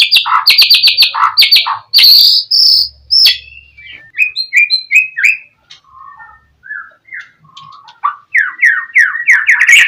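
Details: Oriental magpie-robin singing gacor to bait a rival into answering: fast stuttered high notes, then a varied run of slurred whistles, lower melodic notes, and rising repeated chirps.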